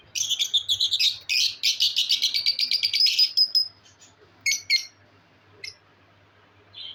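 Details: Budgerigars in an aviary, kept in cages, playing, singing and eating: loud, rapid buzzy warbling chatter in fast pulsed bursts for about three seconds, then a pause and a few sharp chirps.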